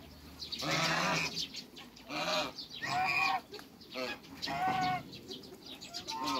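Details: Farm African geese meeting other waterbirds give four loud, harsh, harmonic honks spaced a little over a second apart, each swelling then cutting off, over a low background murmur.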